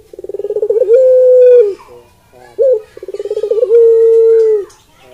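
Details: Barbary dove (Streptopelia risoria), a pet kept at home, cooing: a rapid stuttering run of short notes swelling into a long, steady, low hooting coo, repeated twice with a brief grunt between.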